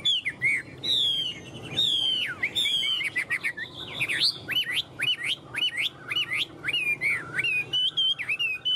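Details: Chinese hwamei, a tame caged bird, singing clear, strong whistles: drawn-out sliding notes followed by a rapid sequence of looping, rising-and-falling phrases repeated about once a second.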